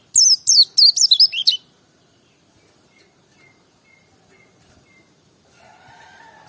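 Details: Brief, loud burst of white-eye song: rapid high twittering notes sliding downward for about a second and a half, then near silence with faint steady tones and a soft rustle at the end.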